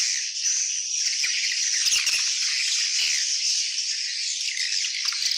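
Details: Swiftlet colony, many birds giving a steady, unbroken wash of high rattling, buzzy twitters and clicks at constant loudness throughout.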